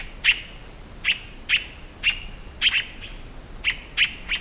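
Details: Scarlet-throated Tanager calling in crisp, emphatic notes, sometimes doubled, repeated roughly every half second to second, clear and dominant over a quiet background.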